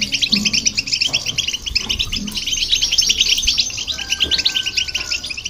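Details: European goldfinch song, with a goldfinch hybrid also singing, used to excite other birds; dense rapid twittering of crisp chirps and trills, a long level whistle entering near the end.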